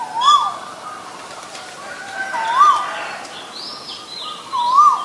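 Asian koel giving clear, mellow arched whistles, one roughly every two seconds, with fainter higher chirps from other birds behind.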